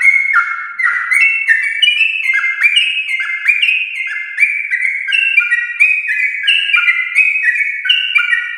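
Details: A Yellow-vented bulbul of champion stock delivers a lively, extended song meant to prompt pet bulbuls. Clear whistled notes step quickly between higher and lower pitches in a steady stream.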